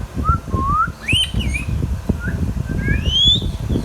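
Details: Pet ringneck parrot talking: a run of bright swooping whistles rising and falling, a brief harsh squawk in the middle, and a long rising whistle near the end over low background rumble.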